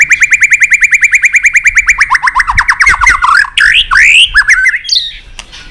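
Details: White-rumped shama song: opens with a rapid, evenly repeated run of short notes, about three per second... speeding into tumbling trills, then rising whistled slurs.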